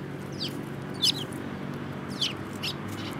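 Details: Sparrows giving a few sharp, downward-sliding chirps at irregular intervals, with a low steady hum behind.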